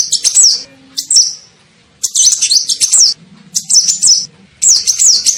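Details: Sunbird called kolibri ninja, with a call used as bait to attract birds: quick, high, tinkling twitter phrases in uneven bursts, with pauses between.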